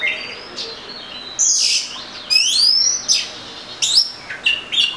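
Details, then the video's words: Oriental magpie-robin song: loud harsh bursts alternating with a rising trill of stacked whistles and short sharp upward notes, several phrases in quick succession. "Murai Kampung/ Magpie Robin"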